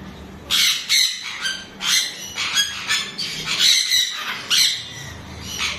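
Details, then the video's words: Chestnut-fronted macaw calling beside its mate: harsh, broadband squawks repeated roughly every half second to second, loud and grating with strong upper harmonics, some overlapping, over faint background hum. "Severe chestnut fronted Macaw with his love"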